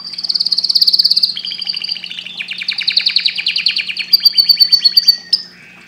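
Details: Canary delivering fast pulsed trills, each tour a rapid train of repeated notes, moving from a high rolling trill to lower chattering phrases, low hum in the background.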